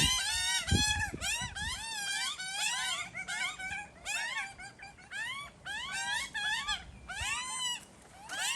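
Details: Begging cries from two hungry magpie chicks in a tree, tended by their parents: strained upward-sweeping wails overlap and rise and fall in loudness, with some low rumbling noise near the start.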